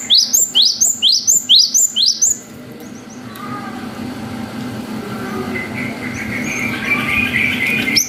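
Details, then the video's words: Cinereous tit singing its long wucit pattern as a lure to make young birds respond. Six fast rising whistles open the recording, then background noise with faint distant chirping. "GELATIK BATU GACOR WUCIT PANJANG"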